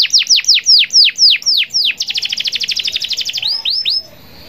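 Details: Canary in full song, its long rolling trill used to call rivals: eight loud descending whistled sweeps, then a rapid high buzzy trill lasting about a second and a half, ending with three short rising-falling whistles.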